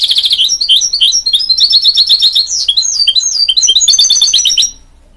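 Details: Mule bird from a goldfinch crossed with a canary, singing a lively stream of rapid chirps and twittered trills with varied sliding notes, ending abruptly after nearly five seconds.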